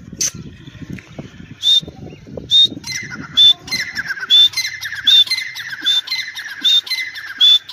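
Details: Teetar, a grey francolin of Dakni or Irani type, gives a steady run of shrill phrases, each a sharp high whistle over a buzzy descending rasp, about once a second, with low rumbling background at the start.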